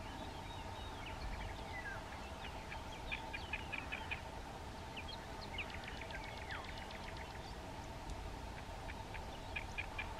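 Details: Great reed warbler singing by the Mirna river in Istria, a run of harsh, clipped notes repeated in quick rhythmic bursts, partly masked by a steady low hum and background noise.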